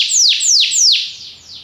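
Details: Belgian canary singing to train other canaries, giving three loud, clear whistled notes that each slide steeply downward, spaced about a third of a second apart, before fading into a softer, thinner tail.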